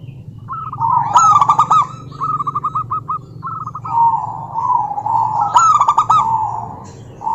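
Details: Rival-calling female zebra dove, local form: choppy trilled coo phrases broken by two loud clicking bursts, continuous low hum in the background.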